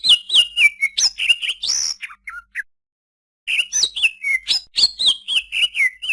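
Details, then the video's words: Leafbird song of quick descending whistles and chirps, a pause of about a second, then another rapid run of slurred, repeated whistled notes. "suara burung cucak ijo"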